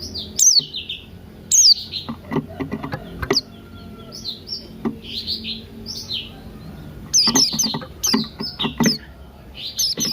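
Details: Buxton's white-eye morning singing with cucak rante, meant to lure birds into song: busy high twittering warbles interrupted by sharp down-slurred notes and short clicking bursts.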